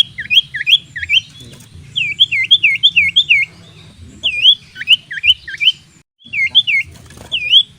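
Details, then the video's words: Common iora singing as a fighting decoy, giving bright looped whistles that dip and rise, delivered in bursts of three to five notes separated by short pauses, over a faint low background hum. "Kicau burung sirtu/cipoh gacor cocok untuk pancingan lawan tarung"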